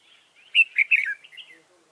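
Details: Red-whiskered bulbul decoy used for trapping, recorded in Dong Nai on 15 November 2017; a bright warbled phrase of several linked whistles, dipping at the end, with faint chirps before and after.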